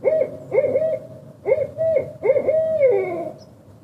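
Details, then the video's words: A Barred Owl gives a rhythmic run of deep, rounded hoots in quick pairs, ending on a drawn-out, sliding-down final note; nothing else is heard. "Barred Owl Call"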